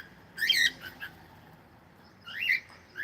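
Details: Pet cockatiel calling: two bursts of bright, squeaky whistled chirps, one near the start and one near the end, with quiet pauses between.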